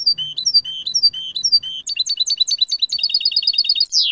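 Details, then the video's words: European goldfinch in 'jilguero limpio' (clean) song style, 2019 recording: a fast, liquid twitter of high chirps, then dense rapid trills of paired metallic notes and a final buzzy descending flourish; a faint low hum at the start. "CD jilguero limpio 2019"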